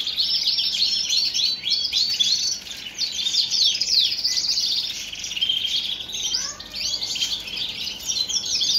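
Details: A male Shirazi canary in Baghdad, ready to breed and fluttering its wings, sings nonstop in long, high, rapid runs of rolling trills and bright twittering phrases with no real pauses.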